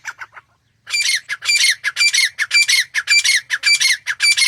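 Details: Wild grey francolin male and female calling in natural jungle habitat; a few softer notes, a brief gap, then a run of loud strident squawks at a quick, regular pace.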